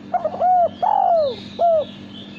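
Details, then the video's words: Male spotted dove, a kind kept as a pet and prized for its melodious cooing in song contests, giving a clear cooing phrase: a short stuttering lead-in, then three rounded, downslurred coos, the middle one longest, with faint background hum. "Derkuku Suara Bersih"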